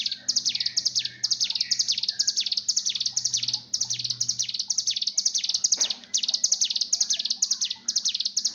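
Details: Mountain tailorbird birahi call used as a training lure: steady run of shrill, buzzy notes roughly twice a second, briefly broken near the sixth second, with softer chirps and a low hum behind.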